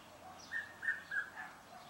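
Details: Red-chested cuckoo in a suburban garden in Pretoria, South Africa: three clear whistled notes in quick succession, each slightly lower than the one before, heard faintly over soft background noise.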